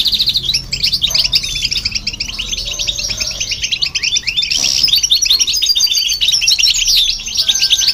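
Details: Song of a European goldfinch and a hybrid, aimed at stimulating other birds: long, unbroken streams of high chirps and rattling trills, several birds overlapping, louder in the second half.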